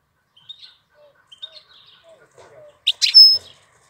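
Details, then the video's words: European goldfinch singing in April: a few soft, high chirps and low quiet notes, ending in two loud, sharp twittering bursts with a thin high whistle. "Cântec sticlele luna aprilie"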